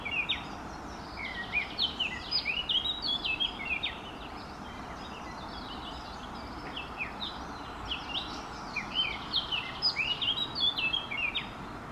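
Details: Eurasian blackcap song in two bouts, each a lively tumbling warble of fluty, slurred notes, with a quieter gap between and faint low rumble underneath.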